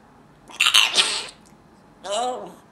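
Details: Pet parrot imitating its owner's sneezing: a sharp, hissing sneeze-like burst followed by a shorter, voiced squeaky sound, in a quiet room.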